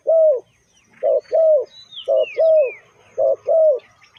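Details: Lure call of a spotted dove for bird trapping: loud, rounded coos in short-long pairs, while another bird adds thin descending whistles above.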